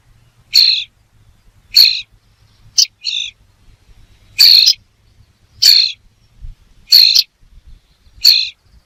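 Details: A bird repeats brief, harsh, screechy high notes roughly every second and a bit, occasionally as a quick double, over a faint low hum.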